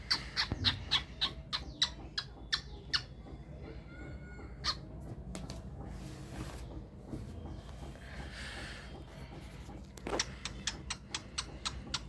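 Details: A silver cockatiel sings in a rapid run of short, sharp chirps with a few brief whistled notes.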